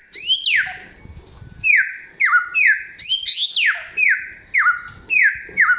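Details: Samyong singing a loud, clear song with forest-bird material: a string of strong whistled notes, each sweeping steeply downward, repeated roughly every half second.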